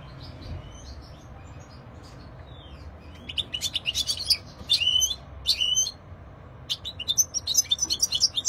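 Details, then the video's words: European goldfinch giving scattered bursts of bright twittering and buzzy trilled notes, starting quietly and then breaking into louder chirping phrases in the second half, over faint background hiss. "Stieglitz - Carduelis Cardudlis - Jilguero - Щегол - Kадънка - щиглец - طائر الحسون - qızılfinch"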